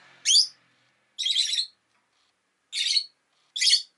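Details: Pet Rosy-faced lovebird giving four separate harsh, grating chirps spaced about a second apart, with a low murmur of background noise at the start.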